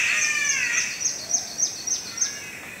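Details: A catbird in subtropical rainforest on the Maiala track, Mount Glorious, D'Aguilar National Park, gives a drawn-out, falling, cat-like wail, followed by thin, high ticking notes from other rainforest birds.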